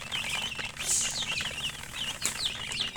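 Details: Chicken chicks giving clear, high, down-slurred peeps in quick succession, with a hiss of rustling movement early on and a low background hum.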